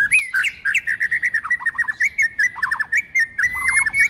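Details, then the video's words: White-rumped shama song for training birds, a female singing to stimulate males: a dense run of rapid whistled and slurred notes around one steady pitch band, quick chirps and short trills in a steady flow with brief gaps. "Luyện Chòe Lửa HÓT NHIỀU GIỌNG HAY + MÁI HÓT Kích Trống"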